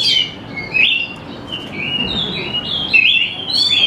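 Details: Greater green leafbird singing a gacor-style lure song meant to draw young leafbirds into singing; varied high whistled phrases, some sliding and warbled, flow in a continuous string of short motifs.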